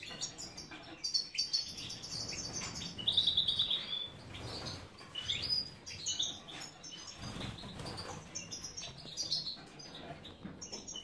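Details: Captive European goldfinch of the large major form at a breeder's aviary in Ioannina, Greece, giving thin high twittering notes and a short rapid trill, fairly faint over a steady background hiss.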